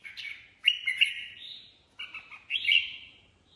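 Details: Improvised 'ché' singing from a kept Red-whiskered Bulbul: three rich, slurred, whistled phrases with crisp attacks. Each swells, then fades, and they are separated by brief pauses.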